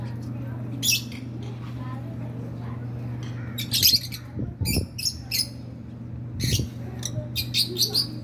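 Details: Hand-tamed pet rosy-faced lovebirds, a male and a female pair, giving sharp, high squawking chirps in short bursts, scattered through the recording and clustered toward the end, over a steady low hum with some low thumps.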